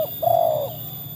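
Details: One drawn-out, slightly falling mellow coo from a trained tekukur, or spotted dove, whose calling is proven against wild birds, preceded by a brief clipped note.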